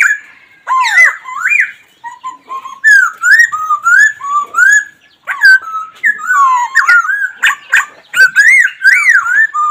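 A black laughingthrush gives loud, rich whistled phrases that swoop up and down, delivered almost without pause, with harsh chattering notes mixed in.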